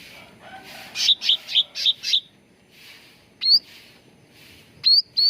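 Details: Cucak ranting bulbul used as a singing lure: a fast burst of five buzzy chirps, a pause, then scattered clear upswept whistled notes against faint background rustle.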